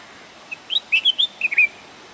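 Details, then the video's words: Bulbul giving a bright, bubbly phrase of about seven chirped and whistled notes, some slurred downward, delivered in a quick two-part burst over soft background hiss. "Bulbul calling"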